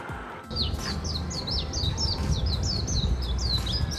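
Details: Warbling White-eye met along a riverside walking path, giving a steady run of thin, high, downslurred chirps in quick irregular succession over a low rumbling background.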